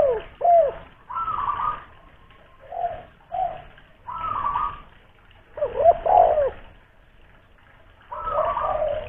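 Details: Spotted dove from Kuningan, West Java, kept as a loud-voiced decoy, cooing in separate bursts about every one to two seconds, soft hollow notes with sharp downward slurs and some gaps of quiet between.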